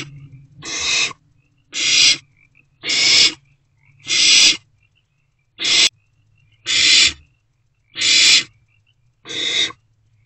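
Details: Owlet barn owl at night inside a nest box, swallowing freshly delivered prey; a steady series of rasping, breathy hisses, each half a second long, coming about once a second over a low background hum.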